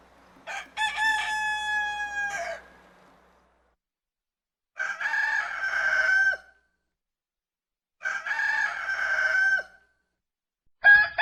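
A rooster crows three times, each a loud, hoarse cock-a-doodle-doo of about two seconds, with short silent gaps between. A fourth crow begins at the very end.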